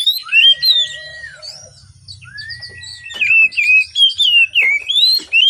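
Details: Oriental magpie-robin morning song meant to coax reluctant birds into singing: long smooth arched whistles alternate with bright warbled, wavering phrases in rapid succession.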